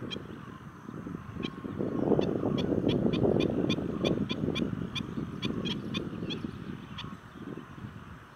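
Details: Black-winged stilts in a heated argument at Doddabegur Kere on 7 March 2020 give sharp, high yapping notes in quick series, several a second, over a steady low rumble of wind or water.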